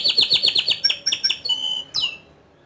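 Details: Energetic canary song in ngerol style with nembak bursts: rapid evenly repeated high notes, then a short rising-falling whistle and a final sharp downslurred note.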